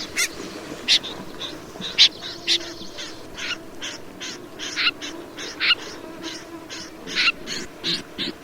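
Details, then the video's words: Snipe giving a run of short, rasping, broadband notes, loosely spaced and varying in loudness, over a constant low hum. "Tiếng chim Rẽ Run"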